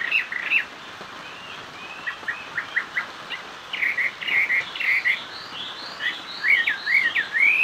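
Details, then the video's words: A Chinese hwamei sings a loud, varied run of clear whistles, slurred rising and falling notes and quick chirps, mostly high-pitched and delivered in rapid phrases. "Họa mi hót xòe"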